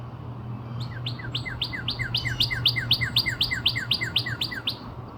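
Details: Northern cardinal near Nashville, Tennessee, on 17 April 2026, gives a rapid run of clear, downslurred whistles, about four a second, for four seconds over a steady low hum.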